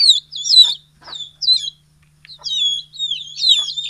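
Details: Many chickens, large and small, in the morning as they are let out of the coop and fed, Betbari, Fulbaria, Mymensingh, 6 October 2018; high, thin downward-sweeping peeps in quick bursts with short pauses.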